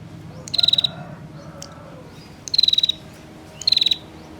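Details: Three quick, dry, rattling trills at a high pitch from a female bar-winged prinia calling to entice males, each under half a second, over a soft low hum.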